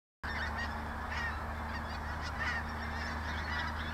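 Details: A dense chorus of pink-footed geese near Clatto Reservoir just outside Dundee gives overlapping high honking 'wink-wink' calls continuously over a low steady rumble.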